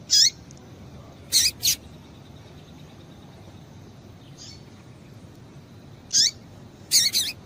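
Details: High, sharp chips from a female double-collared seedeater, a call used to excite the male into song, delivered singly and in quick doublets with long silent gaps between.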